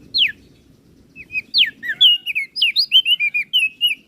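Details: Flores crested white-eye as a master bird for training others: a lone downslurred whistle, a pause, then an accelerating run of bright, clipped, bouncing whistles repeated rapidly over faint low noise.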